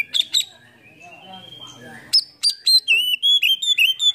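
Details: Oriental magpie-robin (kacer) lure song for prompting silent birds to sing. Two sharp chirps and a soft drawn-out warble are followed by a rapid series of loud, clear whistled notes.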